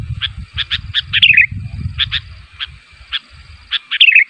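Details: Sooty-headed bulbul calling to draw answers from other bulbuls, giving spaced clipped chirps with two wavering downslurred phrases, against soft low-pitched background noise at the start.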